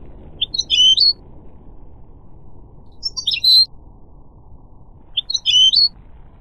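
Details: Three short clusters of high, sharp goldfinch chirps about two and a half seconds apart over a steady low background hiss.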